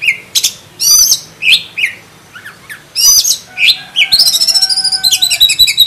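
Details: Black-breasted oriental magpie-robin singing loud, varied phrases of whistles and slurred notes, then breaking into a quick, repeated trill near the end.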